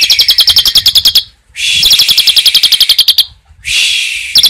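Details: Asian pied starling performing 'tembakan' song with cililin fill, rapid high chattering chips about four per second alternating with harsh, rasping hissy bursts, the chip series returning after each rasp.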